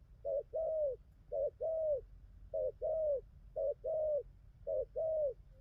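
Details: Spotted dove, taken from the wild and newly in full song, cooing well; regular short-long coo pairs, five in succession about a second apart, the longer notes gently falling, with quiet low-frequency hum.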